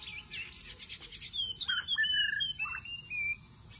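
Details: White-rumped shama, murai batu, used as a lure in the middle of the forest; clear whistled notes in a descending series, with steady high insect buzzing behind.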